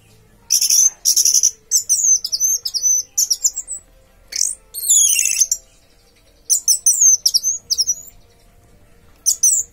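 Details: Orange-headed thrush (anis merah) delivering teler-style song: rapid runs of very high, sharp whistled notes, twittering phrases and slurred glides, in repeated bursts separated by short pauses, with a low steady hum in the background.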